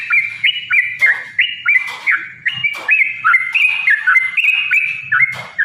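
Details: Yellow-vented bulbul in a long 'ropel' fighting song, used as a lure to provoke other bulbuls into singing: a rapid run of bright, slurred whistled notes, each dipping and rising, repeated about three times a second with faint low thumps beneath.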